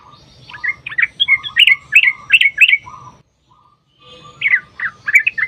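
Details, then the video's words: Chattering yellow-vented bulbul song with a long rapid trill, played to set other bulbuls singing. It is made of lively gurgling phrases with a quiet gap midway, after which the warbling resumes. "trucukan gacor TARUNG ROPEL PANJANG pancingan trucukan agar bunyi jadikan burung trucuk gacor NYAUT"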